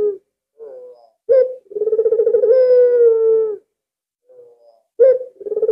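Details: Albino Barbary dove, very vocal and kept as a lure to draw other doves into calling. It gives a low short note, then a long drawn-out throaty coo with a pulsing, rolling texture. A second phrase begins near the end.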